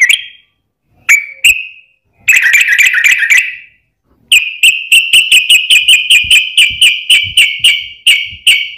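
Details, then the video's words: Sooty-headed bulbul song used as a lure to provoke other bulbuls into singing: short bright notes, then a rattling burst, then a long run of rapid clipped notes repeated about four per second. "trucukan gacor ROPEL PANJANG buat pancingan trucukan agar bunyi"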